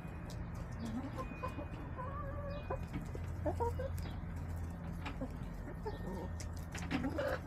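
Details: Backyard hens on 18 March 2024, sunbathing and eating a salad of leftovers: scattered short, soft clucks and a few longer murmuring notes, some rising, over a steady low hum.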